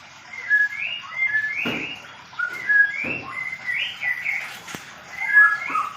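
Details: White-rumped shama of the Medan type in a small aviary during pairing: clear whistled notes sliding up and down around mid pitch in quick varied phrases, with several sharp knocks or flutters between them.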